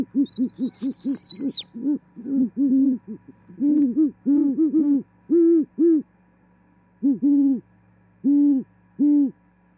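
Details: Great horned owl, a newly arrived female, singing and mating in Charlo, Montana, on 18 January 2021: deep, soft hoots in rapid overlapping runs, then spaced single hoots every second or so, opening with a high, thin squealing over the first bursts.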